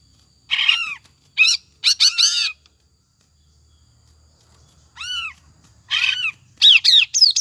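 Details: Song of a greater green leafbird, played as a lure so a kept bird sings continuously: loud arching, downslurred notes in short clusters with quiet gaps between, ending in high sweeping whistles.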